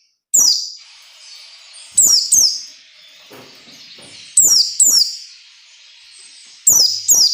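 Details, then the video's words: Ngalas nembak song of a white-eye, played to teach captive birds: short, piercing, high bursts of quick descending notes, often paired, arriving every two to three seconds with quiet gaps between. "SUARA PELECI NGALAS NEMBAK SERTANDAR UNTUK MELATIH PELECI AGAR CEPAT NAGALAS NEMBAK"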